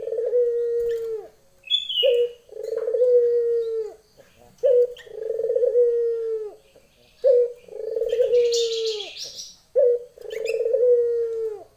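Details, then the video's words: Female Barbary dove calling to a male: long drawn, low hollow coos that fall slightly in pitch, each about a second and a half, repeated in steady series with short gaps, and a few brief high chirps between them. "puter betina memanggil jantan"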